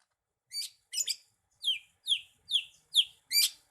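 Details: Greater green leafbird (cucak ijo), a kept songbird that mimics other species and is entered in song contests, singing in full voice: high buzzy chips, then a run of sharp descending whistled notes about every 0.4 seconds.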